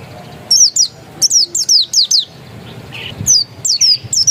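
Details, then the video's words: Oriental white-eye of the pleci dakun kind, said to be still original, sings lively runs of high, piercing notes that drop quickly in pitch, in quick succession with short breaks. "Suara burung pleci dakun masih asli"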